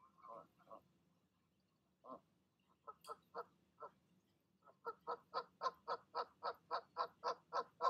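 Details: Mother goose calling her goslings down from the nest at evening; scattered nasal honks at first, building into a fast, regular series of loud honks, about four per second.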